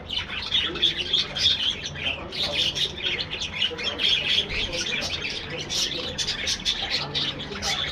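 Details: Many budgerigars in a colony aviary chattering nonstop: a thick mix of high twittering warbles, clicks and short squawks from several birds overlapping, with frequent louder bursts over a faint low background rumble.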